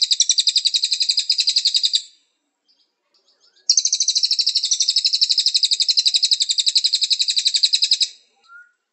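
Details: Cililin song used as a training recording to get birds singing: a high, fast, even trill of rapid pulsed notes, pausing under two seconds before a longer second burst, with no other sounds.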